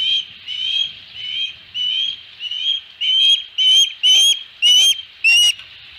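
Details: Osprey at its nest with a fish, recorded 22 August 2020 at a ranch nest: about ten piercing whistled chirps, roughly two per second. The early notes are softer and drawn out, the later ones louder and sharper.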